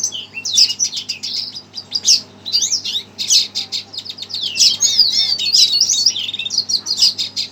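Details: An agitated red siskin, hearing a played recording, delivers a continuous high, jumbled warble of quick chirps, buzzes and sweeping notes.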